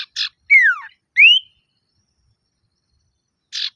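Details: Calling to provoke rival males, a male common iora gives a clear downward-sliding whistle followed by an upward-rising one, bracketed by short harsh buzzy notes, then a lone chatter burst after a pause.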